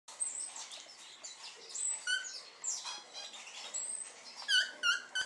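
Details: Great tit calling amid a busy chorus: thin high whistled notes near the start, then a burst of loud, harsh, stacked chattering notes repeated rapidly toward the end, with other small birds chirping faintly in the background.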